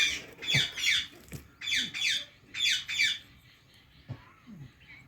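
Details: Indian ringneck parakeet giving rapid, rasping, repeated chirps in quick clusters, then quieter scattered notes, recorded in a small room with some background noise.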